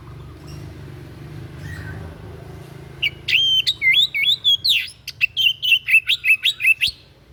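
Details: Unusual white-breasted bird song, used as a model for song training: after a quiet start with low background noise, a lively series of high sliding whistles and sharp chips repeated in quick succession.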